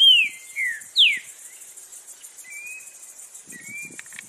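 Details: Green-winged saltator in the wild: three loud down-slurred whistles open the phrase, followed by fainter thin level whistles and a steady insect-like hiss in the background.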